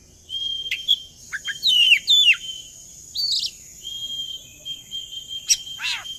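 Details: Oriental magpie-robin song used as a lure to make other birds sing along: long steady whistles mixed with short twisting slurred phrases and a sharp high note, over a faint constant high hiss.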